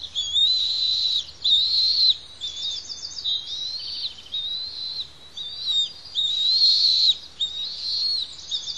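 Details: Noisy bald eaglets, two chicks fed by both parents on the Pelican Harbor nest, Santa Cruz Island; loud high piercing whistles alternating with rapid chittering bursts, in about seven phrases, each roughly a second long.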